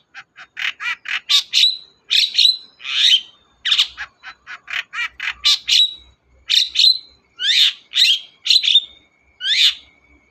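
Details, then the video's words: Long-tailed shrike in lively voice, used as a lure for a shrike that stays silent. Fast series of rasping notes builds into squawky, buzzy phrases with short whistled tails, then sharper down-slurred squawks near the end. "BURUNG CENDET GACOR DOR, pancingan ampuh cendet gak mau bunyi"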